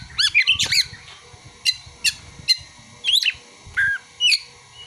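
Oriental magpie-robin singing bursts of high, squeaky chirps and sweeping whistled notes every half second or so, mixing in mimicked prinia and sunbird calls.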